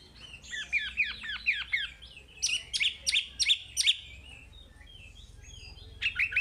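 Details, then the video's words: Chinese hwamei (wambi) in full, vigorous song, a recording meant to prompt untrained caged hwamei to sing: a run of rapid downslurred whistles, then a series of sharp, emphatic notes. After a short pause, a few more notes follow. "Suara Wambi Gacor Untuk Pancingan Hwamei Bahan"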